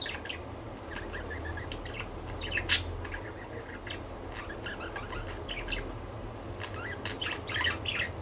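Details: Pet budgerigars chattering in scattered scratchy chirps, one sharp loud squeak standing out early on, then quieter warbling toward the end above a low hum.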